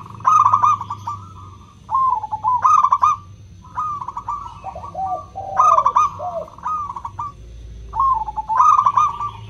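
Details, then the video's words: Local zebra dove singing in the clear 'kristal' voice, a lure for doves that rarely sing: short bursts of rapid, trilling coos repeated every two to three seconds, with overlapping lower coo phrases between them. "Pancingan PERKUTUT LOKAL suara KRISTAL, untuk memancing perkutut susah bunyi"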